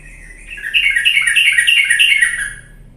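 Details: Sooty-headed bulbul song used as a lure to get lazy bulbuls singing energetically: one bubbly, fluttering phrase of quick chirpy notes rising and falling, lasting about two seconds, with a faint low hum underneath.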